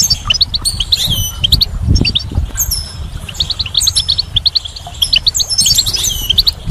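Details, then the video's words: Goldfinch singing in spring: rapid tinkling twitters and short rising chirps with buzzy trills high overhead, several birds overlapping, low rumbling background noise. "Goldfinch's Song"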